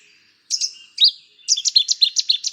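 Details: Cetti's warbler, a skulking bird of tangled waterside vegetation, giving a few loud introductory chips and a slurred note, then a fast explosive run of about eight ringing staccato notes.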